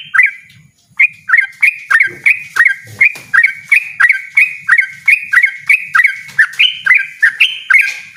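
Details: Rapid, loud bulbul phrases in 'ropel' style from a yellow-vented bulbul, short bright notes tumbling close together at a quick steady pace after a short opening pause; soft low background hum.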